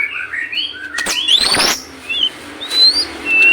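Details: White-rumped shama singing for training captive birds: mellow whistled notes and long, rising, upslurred whistles, mixed with a few loud thumps and a steady hiss.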